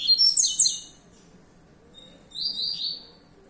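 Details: A young captive-bred Double-collared Seedeater (Sporophila caerulescens), kept for song competition, sings a fast burst of high, sharp twittering notes, pauses, then gives a brief buzzy trill over a faint background hum.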